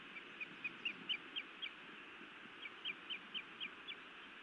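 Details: At a Montana nest a female osprey scolds and bites her mate, evening of 31 May 2017; two rapid runs of about six high, squeaky whistled notes each, steadily paced, over a continuous whooshing background.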